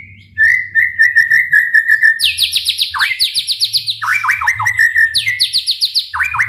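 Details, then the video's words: White-rumped shama singing loudly, played to stir other shamas to sing: a long steady whistle, then fast rhythmic bursts of repeated downward-sweeping notes, several times each second, over a low background hum. "MURAIBATU gacor dor full TEMBAKAN ampuh untuk memancing EMOSI murai cepat bunyi | shama bird"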